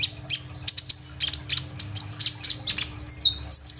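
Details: Kolibri ninja sunbird in active song with rolling bursts, phone recording; crowded high, piercing chips, then a longer falling whistle and a final cluster of thin notes, with a low hum behind.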